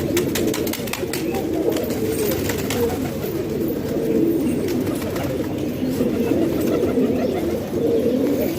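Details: Pigeons from a home loft in Pakistan give a dense, unbroken low cooing chorus, throaty and rumbling, with faint clicks and rustles above.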